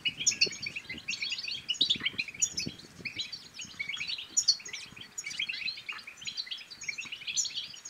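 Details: European goldfinch song played to stimulate other goldfinches to sing and mate: a dense, fast, tinkling twitter of short high notes with sharp bright accents about every second, and soft low clicks underneath.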